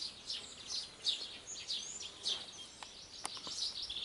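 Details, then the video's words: Birdsong heard in open air: a busy string of high twittering chirps and quick slurred whistles, several notes per second, against a soft hiss of background noise. "Śpiew ptaków"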